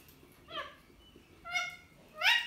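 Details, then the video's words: Two pet ringneck parrots arguing, trading three nasal, harmonic squawks roughly one second apart, the last the loudest and harshest. "2 Ringneck Parrots (Arguing)"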